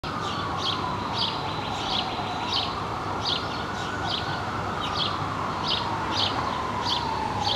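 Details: Black-capped chickadee nestlings, hatched May 15 and about four days old, recorded 19 May 2015 while busy parents bring food; high thin begging bursts repeat roughly twice a second over a steady droning tone and low background rumble.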